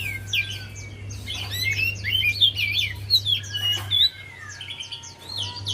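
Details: Javan white-eye song used as a lure to get a quiet white-eye to sing: rapid, high, twittering run of slurred whistles and warbled notes, nearly continuous for about four seconds, over a steady low electrical hum.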